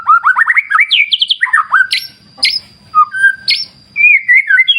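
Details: White-rumped shama (murai batu) beside a clear river: a quick cascade of upslurred whistled notes and trills, then scattered sharp clicks and a final wavering whistle, with a faint steady high tone in the background.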